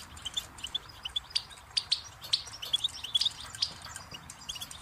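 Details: Goldfinch song: a quick, uneven run of high, bright chirps and short twittering notes, with a few sharper accented notes in the middle, over a faint low hum.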